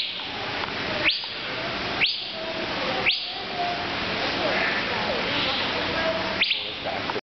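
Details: Male Asian fairy-bluebird (Irena puella) calling from a tree at the National Aviary in Pittsburgh, PA, on July 3, 2011, giving sharp, upslurred whistled notes, four in about seven seconds, over a steady hiss.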